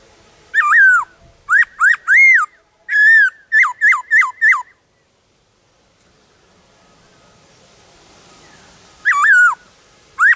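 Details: Wild black-throated laughingthrush singing in the forest: a quick burst of about nine short, arched whistles, several seconds of faint background hiss, then two more whistles at the end.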